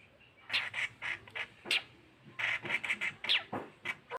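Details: Young tame long-tailed shrike giving a run of short, harsh squawking calls in quick irregular succession, several grouped closely together.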